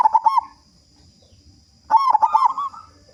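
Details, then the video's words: Big-voiced local zebra dove cooing as a lure to set other doves singing fast: two bursts of clipped staccato notes running into a bubbling, rolling coo, separated by a short silence. "Perkutut Lokal Gacor Suara Besar Pancingan Burung Perkutut Agar Cepat Bunyi"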